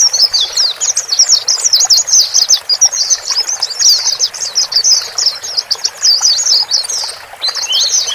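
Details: White-eye, male and female, calling to coax a newly purchased bird to settle in a cage alone; long unbroken run of rapid high twittering chirps with a steady background hiss.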